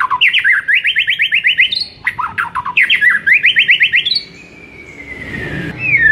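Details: White-rumped shama master song to fire up a silent bird: fast, even series of rising trilled notes, broken by a pause, then a long, smooth descending whistle.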